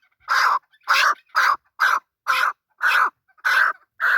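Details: Male chukar partridge giving loud, hoarse, evenly spaced chuck notes, about two per second, each note broad and slightly nasal, with no other sounds.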